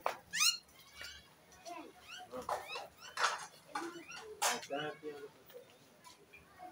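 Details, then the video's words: Pet myna bird singing: a jumble of rising whistled harmonic notes, sharp clicks and short squawky bursts delivered in quick succession, with loud notes clustered near the start and middle and quiet gaps between. "Myna Bird sing"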